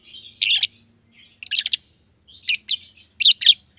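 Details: Two aviary lovebirds, green personata and green pied personata, give harsh, high, squeaky chirps in four short bursts, with a faint low hum underneath.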